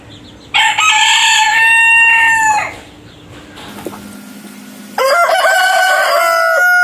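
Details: Rooster crowing, two separate crows: a loud harmonic cock-a-doodle-doo lasting about two seconds and ending in a falling tail, then a quieter gap with faint background hum, then a second bright, sustained crow starting near the end.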